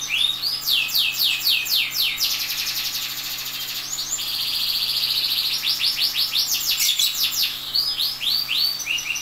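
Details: Canary giving tutor song for training other canaries. Rapid chains of high falling notes and buzzy trilled passages sound over a steady background hiss.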